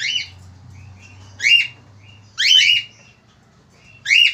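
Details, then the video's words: Male Australian finch chirping energetically: high, sharp, slurred notes repeated roughly once a second, some doubled, with quieter thin twitters between and a low humming background. "FALK AUSTRALIA JANTAN GACOR"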